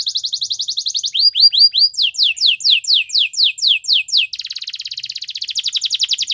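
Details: Canary song played for training other canaries, meant to woo them: a fast, loud sequence of rapid high trills that switches between several distinct repeated note types, from even buzzy rolls to sweeping downslurred notes and back to a dense trill.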